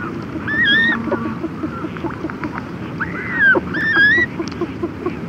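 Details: Red-gartered coots, chicks and adults, make close-up conversational calls: squeaky, arched whistled notes, some rising, in short bursts of two or three over a steady low rumble.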